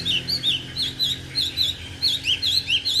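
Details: Caged Chinese hwamei singing alone with no female: bright, high looping whistles repeated quickly in a bouncing, rhythmic pattern.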